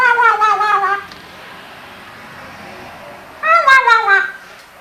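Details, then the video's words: Household Eclectus parrot, aged five, that picks up words and noises heard at home. Two nasal, voice-like utterances separated by a quiet pause of about two seconds, in a small room. "Eclectus Parrot Talking"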